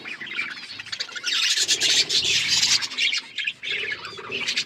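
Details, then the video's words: A flock of colourful pet budgies chattering: loud, harsh, scratchy warbling with rapid squawky notes, building to a dense burst and then easing slightly. "Budgies beautiful colours birds chirping sound"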